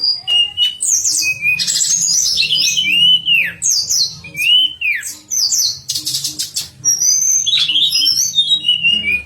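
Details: Lively pied fantail song for training contest birds: sweeping whistles that rise and fall, with rapid high chirps and warbled phrases, sung almost without pause.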